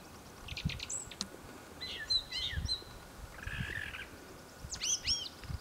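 Brown thrasher singing a varied run of short, high phrases: clipped chirps, slurred whistles and a raspy burst, each a second or so apart, over low rumbling background noise.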